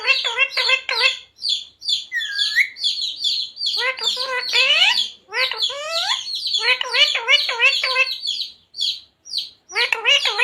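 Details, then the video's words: Parrot talking, said to repeat radhe radhe, jai shree ram, sita ram and mummy papa; fast runs of short, chattering, speech-like syllables, about three per second, with a rising whistle near the start and brief pauses between runs. "Parrot talking radhe radhe | Parrot talking jai shree ram | Parrot talking sita ram"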